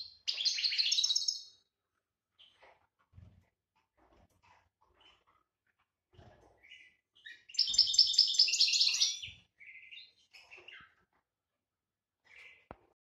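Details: European goldfinch of the GB type in breeding condition during the 2018 season. It gives two bursts of dense, high, tinkling twitter, one at the start and one in the middle, with soft scattered chirps and faint clicks between them.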